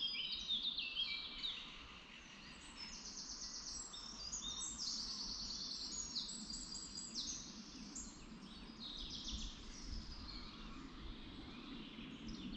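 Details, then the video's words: Birds singing in a forest in Lower Saxony, Germany: several high, bright chirping and twittering phrases overlap near-continuously, with a soft low background rumble of forest ambience. "Birds in the woods"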